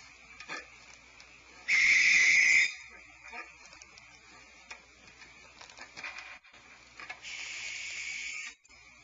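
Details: Two adult barn owls scream near their nest tree cavity at night at Starr Ranch on 18 February 2012 as a person approaches. Each gives a loud, harsh, hissing shriek of about a second, then a fainter drawn-out screech.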